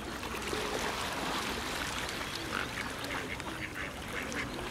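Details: A wintering flock of whooper swans (Cygnus cygnus) in Olomouc, Czech Republic, keeps up a dense, overlapping chorus of bugling, trumpet-like honks, with no clear gaps between callers.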